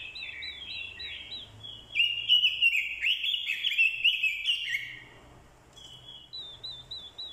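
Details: Orange-headed thrush decoy, a female's call included to stir the male into fighting song: short wavy whistles open, then a loud rich burst of tumbling, scratchy warbled phrases for about three seconds, easing back into soft repeated wavy whistles.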